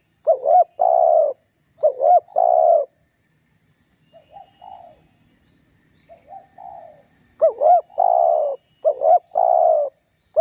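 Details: Lure recording of a spotted dove pressing and provoking rivals: loud phrases of two quick notes and a long coo, a stretch of faint distant coos, then three more loud phrases in close succession.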